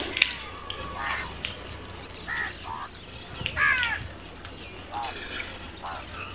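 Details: Crows calling amid a busy, noisy background: scattered short, harsh caws with buzzy overtones rise above a constant broadband hiss and low hum.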